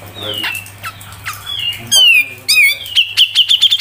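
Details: Grey-cheeked bulbul (cucak jenggot) in a tutor recording for training songbirds, 'mbeset ngepik rapet' style: slurred whistles, then loud buzzy notes and a quick run of sharp repeated chips at the end.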